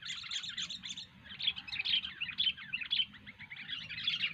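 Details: A chatty, energetic sooty-headed bulbul delivers a continuous stream of bright, bubbling chirps and short whistles rising and falling in loudness throughout, over a steady low hum.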